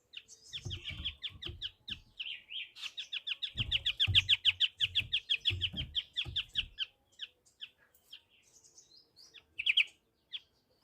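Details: White-rumped triller singing a fast run of sharp chirping notes around a steady high pitch, building into a dense trill near the middle, then thinning to scattered notes and a short final burst; dull low thumps under the first half.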